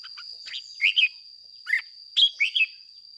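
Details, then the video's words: Red-whiskered bulbul lure bird singing ché song: short clusters of clear, rising and falling whistled notes in quick pairs, against a steady thin high tone. "Luyện chào mào mồi hót ché căng"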